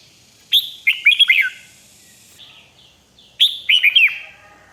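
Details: Red-whiskered bulbul singing 'rik' song for other birds to hear: two clear, rapid phrases of rollicking, looping whistled notes, nearly three seconds apart, over a quiet background.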